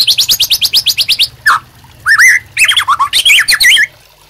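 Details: Captive White-rumped Shama in full, lively song, used as master song for tutoring and provoking other birds: a fast run of about a dozen sharp downslurred whistles, then a pause and varied looping, rising and falling whistled phrases.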